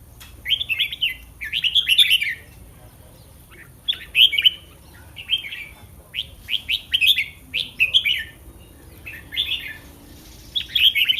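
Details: On the eve of a contest, a caged red-whiskered bulbul sings bright chirpy phrases of several rapid fluty notes, repeated about every second, each burst cheerful and bubbling.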